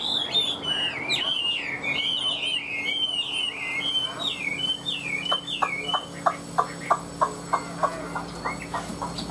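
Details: Captive Chinese hwamei singing a rich run of warbled, looping whistles, then switching to a steady series of sharp staccato clicks roughly every third of a second. Faint background music can be heard.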